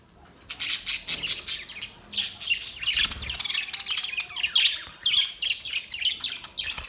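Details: Several budgerigars in chattering song, a dense flow of rapid high chirps, clicks and warbles that starts after half a second and continues without pause.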